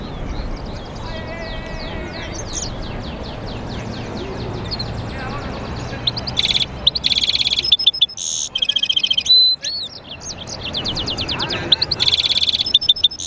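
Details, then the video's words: Goldfinch × canary mule singing a long varied song: thin rapid trills and twitters build into loud bursts of ringing notes, harsh buzzes and clear whistles, with short pauses between phrases and a faint hiss behind. "European Goldfinch mule singing"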